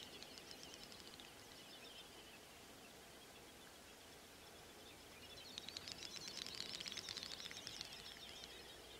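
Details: Great snipe (Gallinago media) males lekking at night in late spring on a European swamp or meadow, competing for females: high, rapid ticking and bubbling bursts, then a louder rattling run over soft hiss.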